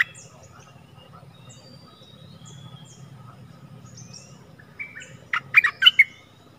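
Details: Stripe-throated bulbul singing in Thailand on 1 April 2021, used as a lure for wild birds, which came but did not descend, likely because they had chicks in a nest. Quiet hum and faint distant chirps, then a late burst of loud, bubbly, chirped notes.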